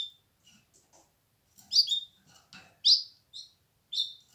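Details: Canary giving short, bright chirped notes about once a second, sharp downward-slurred chips with softer ticking sounds between them, in a quiet room.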